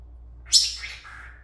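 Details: A single shrill call from a Senegal parrot kept as a pet while dancing and talking. It opens with a sharp high burst, then slides down to a fading lower whistle, over a quiet hum.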